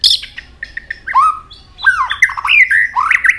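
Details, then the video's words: White-rumped shama singing many changing voices while flicking its tail; dense, varied phrases of clicks, downslurred whistles and rich warbling notes following closely one after another. "chòe lửa hót nhiều giọng đảo giọng đập đuôi liên tục"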